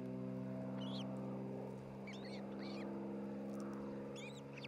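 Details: Osprey pair at their new nest in Charlo, Montana, nest camera, 27 June 2018 around midday: repeated short bursts of high, ringing, arched whistled chirps, several seconds apart, over a steady low hum.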